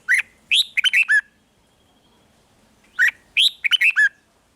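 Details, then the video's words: Red-whiskered bulbul singing in the 'rik' style, used to rouse caged bulbuls: two bursts of quick, sharp whistled notes, each a short phrase of four or five rising and falling chirps, separated by a two-second pause. "เสียงนกกรงหัวจุก ร้อง ริก เปิดให้นกฟัง ยั่วให้นกคึกจัด"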